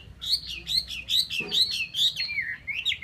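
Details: Chinese hwamei pouring out a fast, loud stream of ringing whistled phrases, rising and falling in rapid repeated loops, with a brief knock in the middle.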